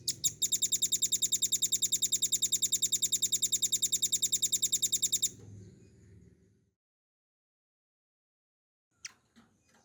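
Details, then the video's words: Velvet-fronted nuthatch used as a tutor for cage songbirds: a couple of opening chips, then a fast even trill of piercing high notes for about five seconds, a soft low rumble, silence, and a final sharp call. "RAMBATAN PARUH MERAH GACOR FULL NGEBREN NEMBAK PANJANG"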